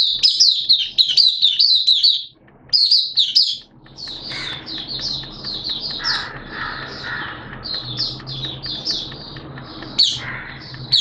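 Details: Caged Oriental white-eye (Mata Puteh) in open buka song, 11 September 2022, wet erratic weather: a rapid high twittering run, then scattered high chirps alongside a harsher mid-pitched squawky sound and steady low hum.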